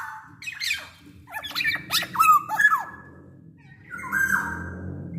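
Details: Black-naped oriole, big-bodied and in full song, its voice used to prompt other orioles to sing. Squawky, sliding notes and sharp clicks come over a steady low rumbling background, then end in a drawn-out nasal phrase.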